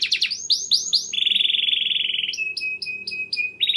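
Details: Lively canary song meant to prompt other canaries to sing: rising chirps repeated several times, then a flat, buzzy sustained trill, a thin steady whistle, and short ringing notes.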